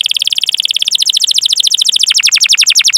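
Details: Canary song meant to coax other canaries to sing: continuous rapid trill of repeated notes that quickens, then shifts to longer falling sweeps.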